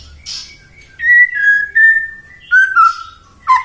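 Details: White-rumped shama lure song to make other shamas sing: a few loud, pure whistles, each long and slightly falling, separated by short pauses.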